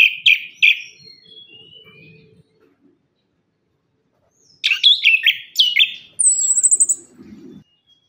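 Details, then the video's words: Orange-headed thrush (anis kembang) lure song for caged birds that sing little after moulting: loud clipped whistles and falling thin notes, a pause, then a burst of varied rich warbled phrases ending in a very high rapid trill. "KICAUAN ANIS KEMBANG GACOR"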